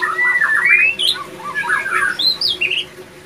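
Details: A male white-rumped shama in breeding condition sings a rich, varied run of slurred whistles and rising, swooping phrases with a few harsher notes, mostly mid to high pitched.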